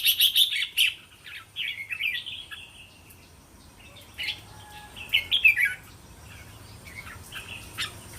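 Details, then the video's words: Red-whiskered bulbul singing linked training phrases for young cage birds; a loud run of quick chattered notes at first, then softer scattered chirps and a second warbled phrase, with other faint birds behind. "เสียงนกกรงหัวจุก เสียงยั่วๆๆสายต่อ..ไม่ควรพลาด!! เสียงต่อติดแบบง่ายๆๆ100%"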